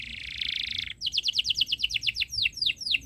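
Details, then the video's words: Canary singing in a long chirping style meant to teach young birds: a harsh buzzy rattle for about a second, then a clear sequence of about fifteen repeated descending chirps. "Suara Burung Kenari ● Masteran Kenari Paud Belajar Bunyi | Kenari Gacor Cuit Cuit Panjang"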